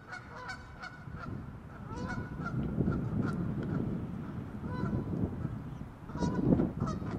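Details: Goose guarding its nest gives a rapid series of harsh, nasal honks, several per second and irregularly spaced, louder toward the end, over a steady low rumbling background noise.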